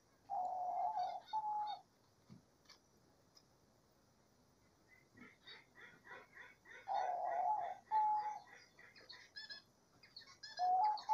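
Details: Diamond dove in the wild giving its gentle cooing song. Drawn-out, low, smooth coo phrases come in clusters about every five seconds, with busy, higher twittering chirps from other birds between them.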